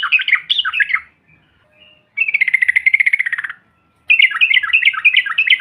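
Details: Yellow-vented bulbul trucukan used to goad silent birds into calling. Bubbly warbled notes open, then a long fast trill of evenly spaced buzzy notes follows, and after a gap a busy burst of bright chattering notes.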